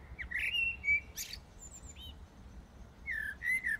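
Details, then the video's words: A common blackbird sings in darkness in the early morning of 15 January 2018 in Brussels, Belgium: short, mellow fluted phrases, each ending in a thin, squeaky twitter, over a low, steady background rumble. "Blackbird Singing in the Dead of Night"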